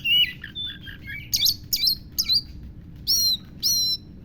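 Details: Oriental magpie-robin (kacer) delivering lovebird imitations: a run of varied whistled notes, then loud harsh squawk-like chirps in separated bursts about half a second apart.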